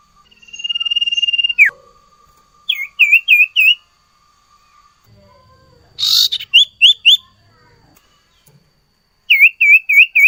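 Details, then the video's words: Sirtu in full song: a long trilled whistle ending in a fall, then repeated groups of four or five short bright notes, with faint low background noise between phrases. "burung sirtu gacor ful isian"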